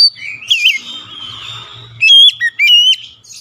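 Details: Agitated Oriental magpie-robin pours out a full song repertoire: a wavering whistled phrase, a softer buzzy stretch over a faint low hum, then three loud clipped whistled notes with sharp upward flicks.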